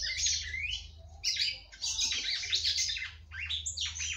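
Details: Singing female red-cowled cardinal, meant to stimulate the male: loud, jumbled high warbling in bursts of rising and falling notes, with brief pauses and a steady low hum beneath.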